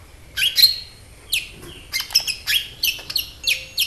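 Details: Lively song of a sunbird known locally as kolibri ninja, used as a lure. High, squeaky chirps and brief trilled bursts are spaced irregularly, some sweeping down sharply, against a quiet background.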